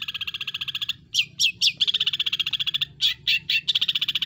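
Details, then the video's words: Long-tailed shrike in full, lively song: a fast, even buzzy trill of rapid chattering pulses, broken by a few sharper sweeping notes, then the quick trill resumes, over a low background rumble. "Burung Cendet Pull Isiaan Gacor Atas Bawah"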